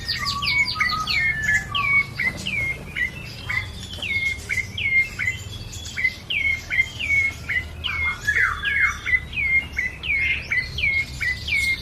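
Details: Bar-winged prinia singing busily for twelve seconds, a long string of upward-hooked whistled chirps given at a brisk pace, with brief lower whistles early on and light background hiss.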